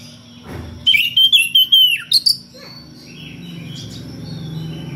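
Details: Caged magpie-robin singing loudly in ngeplong style to call a rival, with odd variations: a burst of rapid sharp high notes and a falling whistle, then quieter distant notes over background hum.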